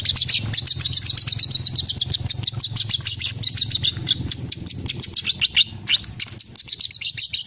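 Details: A young long-tailed shrike learning its song from master recordings runs through a fast, scratchy string of high chattering and warbled notes, about three a second, over a faint low hum.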